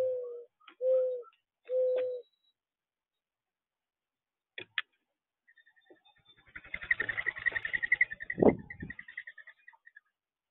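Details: Three short, low, hollow coo notes from doves in the first two seconds, then quiet clicks and a long stretch of loud rustling, tapping noise with a faint higher whistle running through it.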